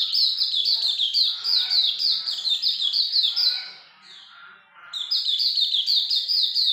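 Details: Energetic Hume's white-eye song, a rapid chain of sharp, high descending chirps. It fades briefly near the middle, then the fast twittering resumes.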